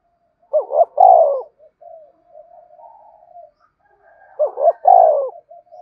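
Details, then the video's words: Spotted dove coo meant to prompt a newly caught dove to call: two loud phrases about four seconds apart, each a quick double note and a drawn-out falling coo, with faint soft murmurs between. "tieng cu gay kich boi nhanh noi, thúc bổi nghe nhại gáy"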